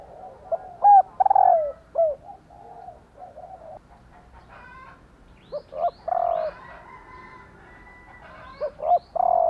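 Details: Female spotted dove calling to make males coo along: repeated sequences of short notes and rolling, falling coos over several seconds, with distant rooster crowing in between.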